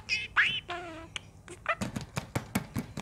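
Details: Pet budgerigar talking to itself in the morning, secretly recorded: a quick string of chattering, warbled syllables with squeaky rising notes and short clicks, mimicking human phrases picked up from people.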